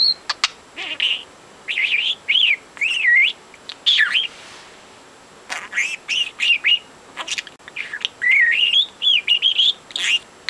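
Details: Young male pet budgie, four months old and talking nonstop, warbles a series of looping, whistled chirps and chatter in uneven bursts separated by brief silences.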